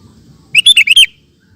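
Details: Sooty-headed bulbul (kutilang) in lively gacor song, recorded as a master for training cage birds: one quick bubbly phrase of about five rich, slurred notes lasting half a second, against a faint low hum.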